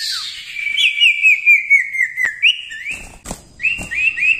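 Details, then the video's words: Common iora (cipoh) singing steadily in gacor style for masteran training: a long, slightly wavering whistle held on one pitch, broken by quick upward flicks, with sharp clicks and a short noisy burst near the end. "cipoh gacor ampuh untuk masteran"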